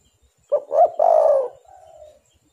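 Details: Spotted dove (tekukur) luring call: a short note, a swelling rising coo and a long burry coo, followed by a softer, fading trailing note.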